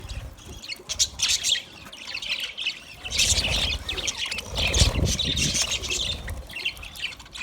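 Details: Budgerigars chirping while eating food: dense, overlapping high chatter of short squawks and tweets, busiest after the third second, with low rumbling noise underneath.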